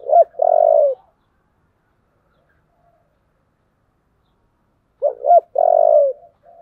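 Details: Spotted dove in 'giọng thổ' voice, cooing intensely to spur fighting. Two full phrases about five seconds apart, each with two quick throaty notes and then a long, husky, slightly falling coo, with silence between.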